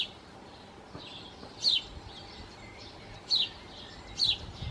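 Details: Song thrush nest holding four nestlings fed by both parents in a long spell of heat and drought. Three brief, sharp, high descending notes spaced about a second apart, with faint low rumbles below.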